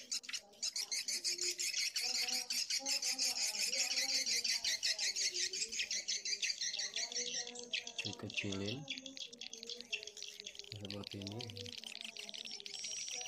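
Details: Blended edible-nest swiftlet colony and mating calls, call track lowered. Dense, fast, regular clicking chirps run throughout, high and buzzy, with wavering lower tones beneath and two short loud rising swoops midway.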